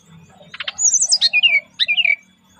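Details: Relaxed lure song from a brown-chested jungle flycatcher, with a brief buzzy stutter, a high rolling whistle sliding down, and a second short falling phrase.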